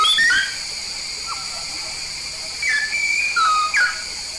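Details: Frequent-singing yellow-faced myna from Papua, with brief whistled notes at the outset, a quiet gap, then a few clear level and falling whistles near the end, with steady hiss underneath.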